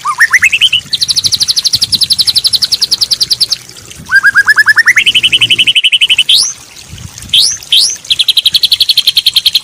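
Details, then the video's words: Training recording of white-rumped shama song for songbirds: a rising whistle leading into long rapid trills of repeated high notes, a lower pulsed series, sharp upswept whistles, then another fast trill. "Masteran Burung Murai Batu full durasi+Isian mewah!!!"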